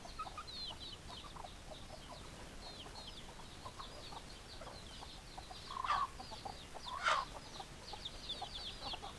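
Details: Chickens giving many thin high peeps throughout, broken by two louder harsh squawking clucks around the middle of the recording, over constant low background noise.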